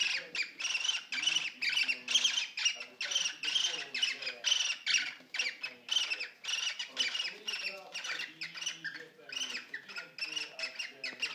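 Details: Young male cockatiel in a cage, singing persistently while courting and mating with an older female: a fast, steady run of harsh, rasping squawk-like notes, about two per second, continuing without pause.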